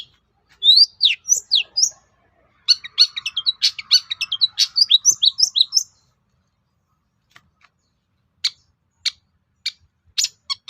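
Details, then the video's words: Provoking song of a long-tailed shrike meant to make other shrikes reply: quick bursts of sharp chirps and rising notes for several seconds, then a pause and spaced single clicks. "SUARA PANCINGAN BURUNG CENDET AGAR MAU NYAUT GACOR"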